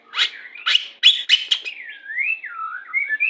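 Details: White-rumped shama of the Pastol type, whose song is used during pairing to bring on breeding condition. Several loud, harsh, clipped notes lead into a smooth, wavering whistled phrase that rises and falls.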